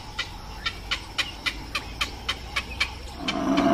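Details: Chicken on a farm clucking in a quick, steady series of short, sharp notes, about four per second, followed by a swelling rush of background noise at the end.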